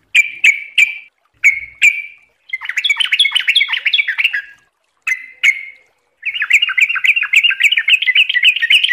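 A Yellow-vented Bulbul gives loud, bubbly chirps in quick pairs, then breaks into fast, rolling chatters of rich liquid notes.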